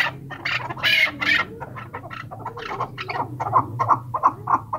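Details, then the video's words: Excited chukar partridge: a run of rapid, throaty clucking notes that settle into a rhythmic, evenly paced chuck-chuck series, with a few louder harsh bursts near the start. "چکور کی مستی اور آواز"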